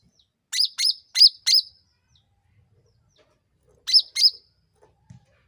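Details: Sooty-headed bulbul lure call for provoking other birds. A run of four sharp, high, slightly bent chirps, a pause of about two seconds, then two more, followed by a faint knock.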